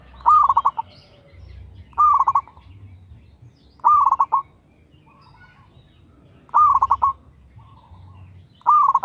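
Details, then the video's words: Local zebra dove in steady, active song used as a lure to prompt other doves: five cooing phrases, each a short rising note then a quick stuttering run of soft hoots, about two seconds apart, over a low rumbling background. "TERATUR PERKUTUT LOKAL GACOR SUARA TERATUR PANCINGAN TERBAIK"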